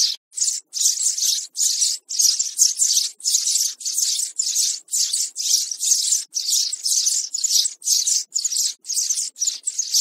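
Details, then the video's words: Calls of young sparrows played to lure birds into traps: a continuous run of rough, noisy chirps, each a short rasping burst, coming roughly twice a second. "Tiếng sẻ Non"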